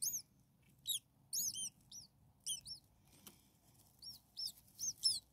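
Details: Six few-days-old common starling babies begging in the nest: scattered high, curved chirps, some in quick runs, with pauses, a single sharp click, and faint fluttering.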